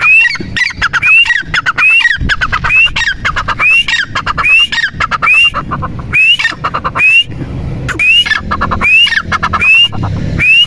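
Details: Partridge, locally called teetar or dakhni teetar, calling loudly: a sharp rising whistled note repeated over a second or so, with harsh squawking pulses between, continuing steadily throughout.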